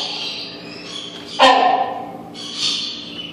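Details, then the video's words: A single abrupt, hoarse bark from a rhinoceros hornbill kept in a Pittsburgh aviary, loud and short with a quick trailing tail, set against thin squeaks and chatter of other birds and a low background hum. "Rhinoceros Hornbill barking"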